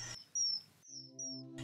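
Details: Common kingfisher in a marsh in early spring at low water gives two thin, piercing, high whistles, the second longer and slightly wavering, over soft low music and brief bursts of noise.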